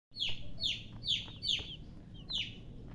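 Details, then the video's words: Baby chicken chicks chirping: five loud, high, downward-sliding peeps about half a second apart over a soft low rumble. "MURGI Baby "Chicks Chirping" Sound"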